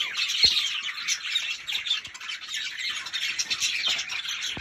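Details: Several budgerigars squawk and twitter together in a steady stream of harsh, high chirps and buzzy chatter, with a few faint clicks in between.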